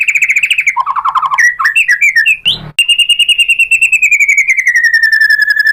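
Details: Song of a white-rumped shama used to draw replies from other shamas: a fast trill, lower warbling notes, scattered chirps and a sharp click, then a long even trill slowly falling in pitch.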